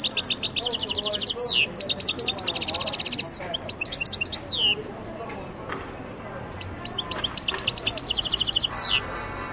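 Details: Algerian goldfinch song, continuous and energetic: quick trilled phrases of high chirps, sharp downward slurs and tinkling notes repeated in several bursts, with faint low background hum throughout.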